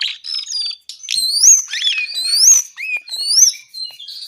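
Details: A brown-eared bulbul pours out continuous song, loud clear whistles sweeping sharply upward in repeated phrases about once a second, mixed with lower slurred notes and buzzy undertones, no pauses.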